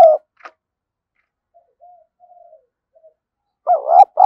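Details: Caged decoy spotted dove, thổ style voice, kept to lure wild doves: a brief coo at the start, a few faint soft notes in a quiet middle, then a louder two-part low coo near the end.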